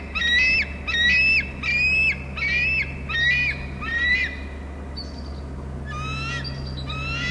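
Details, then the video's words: Bald eagle calling loudly at its Hornby Island nest as a second eagle arrives. Six ringing, rising screeches come in quick succession, then softer, thinner notes trail off. A constant low hum runs underneath. "eagle in to wa cam, em is screeping loudly"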